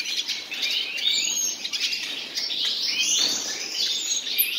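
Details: Common nightingale pair in song: a steady stream of high twittering and slurred whistles, briefly interrupted by fluttering sounds, with short descending sweeps and a constant soft background hiss.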